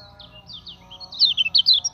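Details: Common iora song used as a training lure: faint sweeping whistles build into louder, rapid descending high notes in the second half.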